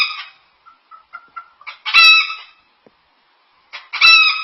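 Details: Pet cockatoo mimicking a chicken: soft rising clucks building into loud, harsh, harmonic crow-like squawks, with two long bursts about two seconds apart.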